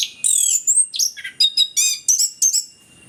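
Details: Orange-headed thrush, a lure recording for birds that are slow to sing: a dense three-second run of bright high whistles, trills and mimicking chirps in quick separate phrases, clean with little background.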